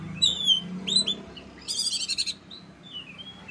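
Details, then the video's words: Oriental magpie-robin in strong song: clear high whistles sliding downward, then a fast buzzy rattling burst and softer falling whistles, over a steady low hum. "kacer gacor tembakannya manteb banget"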